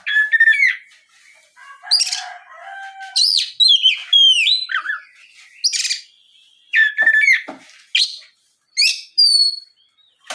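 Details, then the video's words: Rich, varied Oriental magpie-robin song used as a lure so other birds answer: loud whistled phrases, rapid chattering notes and sweeping slurs, delivered in bursts with short gaps. "SUARA PIKAT BURUNG KACER GACOR NGEPLONG"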